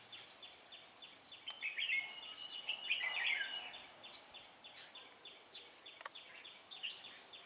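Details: Decoy Red-whiskered Bulbul at a trapping setup; a rich, rapid warbled phrase in the middle, set against a steady series of short repeated downslurred notes from another bird, about three per second.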